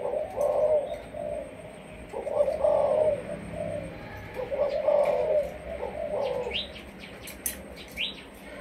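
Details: Captive Malaysian spotted dove used as a decoy, singing in the sấm thổ style: four throaty coo phrases with a brief pause between each, followed by a few thin, high chirps from other small birds near the end.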